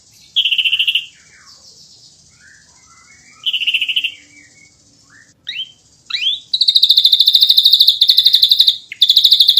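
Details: Ashy drongo in dense 'nembak rapat' song: short high buzzy bursts about three seconds apart, a few slurred whistles, then a long, fast run of regular pulsed notes forming a shrill trill.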